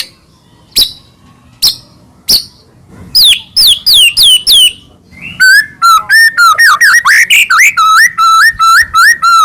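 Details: Scattered sharp clicks open, then a white-rumped shama launches into rapid looping whistles, first high and falling, then a long run of repeated lower whistled notes with quick upward flicks; a lure song to make shamas sing and grow agitated.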